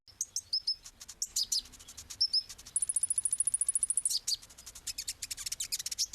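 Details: Kolibri ninja sunbird song, a small sweet-voiced bird: clusters of thin high chirps and flicked notes, then a fast, steady, very high trill lasting over a second, followed by further rapid chirping.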